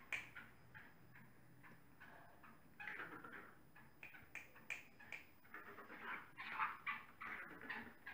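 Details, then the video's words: Black francolin, known locally as Kala Teetar, giving a series of harsh, grating notes in short clustered bursts, louder toward the end, over steady low background noise. "Black Francolin | Kala Teetar"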